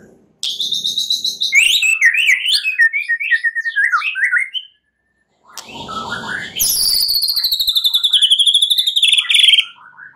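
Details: A white-rumped shama singing at night as a lure for singing birds: a high buzzy trill, fast tumbling notes, a short break, then a long, very high, rapidly repeated trill.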